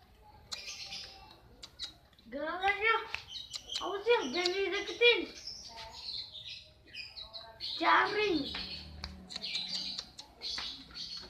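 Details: Long-tailed shrike in breeding condition singing actively: a varied medley of harsh, rising and falling harmonic phrases and scratchy notes, mixed with short high chips, in bursts with brief pauses.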